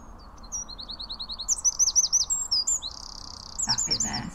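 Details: A British Eurasian wren (Troglodytes troglodytes) sings a loud song: fast, high, sharp notes tumbling together, then a dry, rattling trill in the middle, followed by more bright notes.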